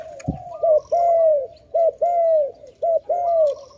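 A dove gives loud, low hollow coos in three two-part phrases, each a short note followed by a longer drawn-out one, about a second apart.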